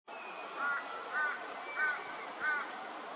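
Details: Double-barred finch (Taeniopygia bichenovii) near Maryborough, Queensland, giving four short, nasal, slightly arched calls about every two-thirds of a second, over steady background hiss with faint higher bird notes.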